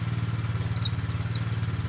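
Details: Oriental white-eye of the buxtomi type singing in the ngalas style, used to prod other white-eyes kept together into quick chattering song; two high, thin, sliding twittered phrases, each about half a second long, over a steady low engine-like hum.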